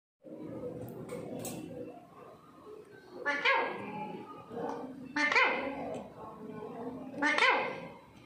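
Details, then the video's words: Indian parrots kept at home, harsh rasping squawks rising into bright screeches roughly every two seconds, over a steady low murmur of indoor background sound. "parrots ki pyar bhari baate"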